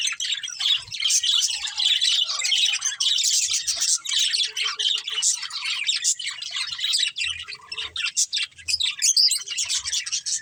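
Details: Budgerigars, a breeding pair among a family group, kept birds: long stretch of scratchy warbling and chirps, harsh squawky notes mixed in, with faint knocking in the background.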